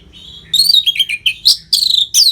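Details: Orange-headed thrush singing nonstop gacor masteran, meant to train competition birds. Dense, rich phrases of twisting whistles and chattering notes tumble out quickly, with loud high bursts in between.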